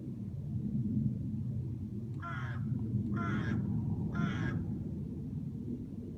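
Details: A crow, reportedly dancing while it sings, gives three short raspy caws about a second apart, partly masked by a strong low rumble.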